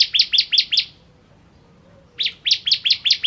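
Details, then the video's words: Bar-winged prinia (ciblek kristal) giving two quick bursts of five to six sharp, clipped, rising chirps, with a brief silence between them. "Ciblek Kristal Gacor"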